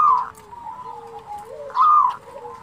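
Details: Zebra dove (perkutut, local bird) cooing in the "kerot" and "bekur putar" manner for training other doves: two loud rolling coos about 1.7 seconds apart, with soft low cooing between them.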